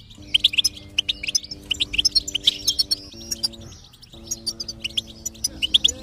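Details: Goldfinch singing to encourage a silent goldfinch: continuous bright twitters and chirps in quick bursts, accompanied by sustained low music tones that shift pitch partway through.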